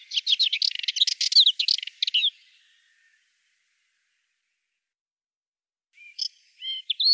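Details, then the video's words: Subalpine warbler singing a rapid, scratchy warble of high chattering notes for about two seconds, then a pause and a few short high chirps and twittering notes toward the end. "Голоса птиц: белоусая славка"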